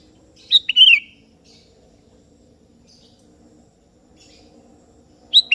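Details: Sooty-headed bulbul of the 'kebo' type, singing actively and calling a rival that answers: a brief, bright, bubbly phrase early on, long quiet gap, then a sharp note returning at the end, over a faint low hum.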